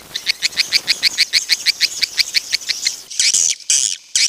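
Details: Swiftlet lure call for a crowded bird house: a steady series of about two high, buzzy chirps per second, followed by a few louder, harsher twittering bursts at the end.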